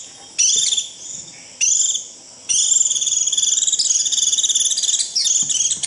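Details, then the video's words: Japanese white-eye 'rít' call used to summon the flock and lure birds in: two short high trilled bursts, then a long, rapidly pulsing buzzy trill lasting over three seconds. "Tiếng chim vành khuyên rít √ siêu gọi bầy cực kỳ nhậy gọi là về"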